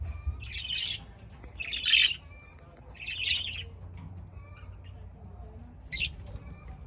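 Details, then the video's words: Budgerigar calls: four separate scratchy, buzzy bursts about a second apart, with a louder harsh squawk near two seconds and a brief sharp chirp at the end, over low background rumble. "BUDGERIGAR BIRDS"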